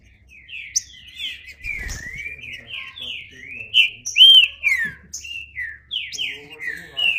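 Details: Green-winged saltator singing: a continuous run of clear whistled, slurred notes, many falling, some rising, repeated about twice per second, with one brighter upswept whistle near the middle and a few high chips above.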